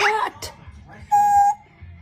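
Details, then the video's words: A pet talking parrot gives two quick, voice-like syllables, then a clear, steady whistled note held for about half a second; little else is heard. "Amazing Talking Parrot 🦜 Parrot Start Sweet Talking"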